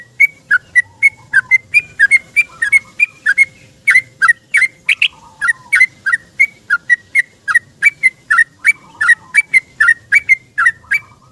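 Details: Long, rapid 'ropel' song of a yellow-vented bulbul in the morning, seeking a companion, used as a lure. Continuous bubbly chattering of bright whistled notes, about three per second, with brief lower warbles.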